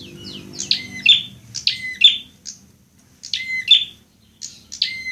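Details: Fighting prinia, recorded for training caged birds: loud, sharp, explosive chirp phrases repeated in two clusters with a short pause between, each note ending in a lower whistled tail.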